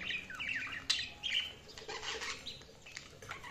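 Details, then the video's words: Tame pet cockatiel chattering with quick rising and falling chirps and scratchy squawky notes, delivered in rapid irregular bursts. "cocktail chirping"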